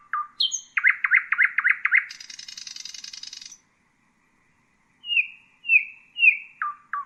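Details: Loud, varied song of the common nightingale: low notes, a quick series of hard repeated chips, a long high buzzy trill, silence, then slurred descending whistles.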